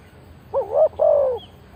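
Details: Single phrase from a spotted dove used as a lure for wild birds: a wavering rising coo followed directly by a longer smooth falling coo.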